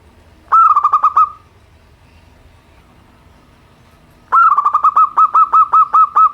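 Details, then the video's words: Local zebra dove song, simple in style, used to coax reluctant birds into singing: two bursts of rapid, bubbling rolled coos, the second longer with evenly spaced notes, over a quiet low hum. "perkutut lokal suara sederhana, untuk terapi burung malas bunyi."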